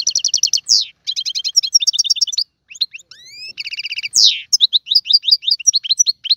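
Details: Tiwawati song from a trained goldfinch: fast rattling runs of repeated buzzy notes, sharp downward sweeps, a pair of rising whistles, and lively tinkling chatter continuing almost without pause.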